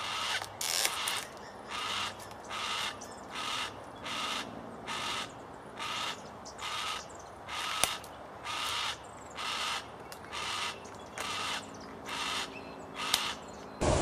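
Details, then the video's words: A yellow-tailed black cockatoo gives harsh, rasping, creaky screeches, repeated steadily a little more than once a second, over a faint background hiss. "Yellow-tailed Black Cockatoo"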